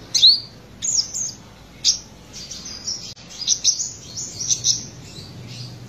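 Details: Olive-backed sunbird, subspecies buruensis from Buru in South Maluku, black-breasted and singing freely in trotolan style: a sharp upward sweep opens, then scattered high squeaky notes give way to a run of rapid twittering phrases.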